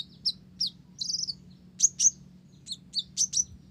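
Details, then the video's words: Olive-backed sunbird in busy song filled with Java sparrow phrases: quick high chips, a short buzzy trill, then piercing downslurred notes in a rapid irregular series. "Konin Blorok Gacor isian Gelatik"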